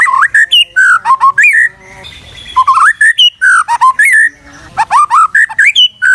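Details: Master song of a white-rumped shama for teaching other songbirds: loud clear whistled phrases of looping rising notes and high chips in fast bursts, with a brief quieter pause near two seconds.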